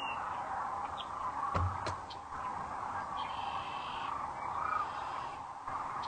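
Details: Sandhill cranes arriving for the night at Rowe Sanctuary, Gibbon, Nebraska, at sunset on April 4, 2013; a dense chorus of rolling, trumpeting calls from many birds, with a few sharper higher notes standing out.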